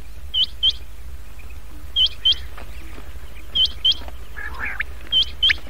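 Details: Quail lure call used to attract quails for catching, including chinga and fighting quails, and playable at night: pairs of high, sharp whistled notes repeated every one to two seconds over a low steady hum, with brief rough chatter near the end.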